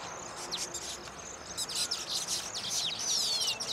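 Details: Baya weavers courting at freshly built nests, dancing with fluttering wings to draw females inside. Scattered sharp chips and buzzy bursts build into a clear, drawn-out descending whistle toward the end.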